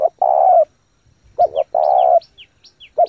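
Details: Spotted dove giving 'thúc gù' cooing to stimulate decoy birds and train newly caught doves: long husky rolling coos with a brief double note between, accompanied by sharp high descending chirps from another bird.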